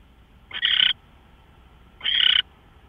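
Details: Owl on March 24, 2013 at 5:27 AM giving two short, harsh, hissing screeches about one and a half seconds apart, with a quiet background.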